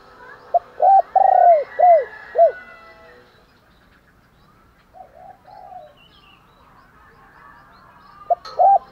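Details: Spotted dove calling in the morning to stir up fighting. One strong phrase of a short note plus four arched coos, then a long gap with faint, muffled cooing from farther away. A new phrase begins just before the end.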